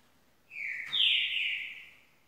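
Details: Fainter green-winged saltator song over light background hiss: a level whistled note, then a louder higher note easing slowly downward, about one and a half seconds in all.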